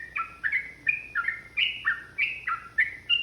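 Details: Yellow-vented bulbul singing energetically in a long, rapid, aggressive 'ropel' style used to provoke other bulbuls: bubbly two-part notes, each dropping or rising between mid and higher pitches, fired roughly three per second with little background noise.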